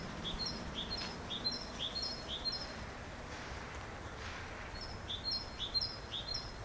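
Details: Great tit song of rhythmic high two-note phrases, repeated about twice a second in two strophes separated by a short pause, with faint low rumble behind.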